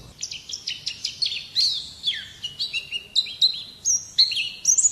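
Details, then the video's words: Pet white-eye in contest form singing a fast series of high downslurred whistles and clipped chirps, each note repeated about twice a second, ending in sharper rising twitters. "Birds Chirping Pleci Master Joss Chirps"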